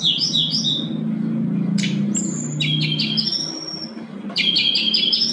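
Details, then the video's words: Sooty-headed bulbul in lively full song: bright, chirpy whistled bursts with quick slurred phrases over a steady low hum. It is used as a lure and master recording to coax silent bulbuls into singing. "SRDC GACOR SANGAT COCOK UNTUK PANCINGAN SRDC MALAS BUNYI"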